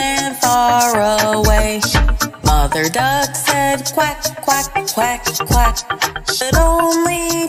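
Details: Upbeat pop-style music with sung melody, strong beat and layered instruments, and no animal sound.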